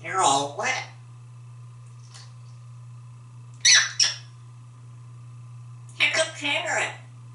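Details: A talkative male African grey parrot, kept at home in Texas and hatched in 1997, talks after a shower. Three bursts: speech-like syllables, then harsh squawky phrases, separated by quiet gaps over a steady low hum indoors.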